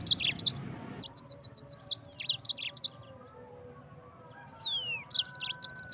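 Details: Yellow-fronted canary in full song, recorded for training songbirds: bright, rapid chirping runs, a lull with a single falling whistle, then fast high notes resume.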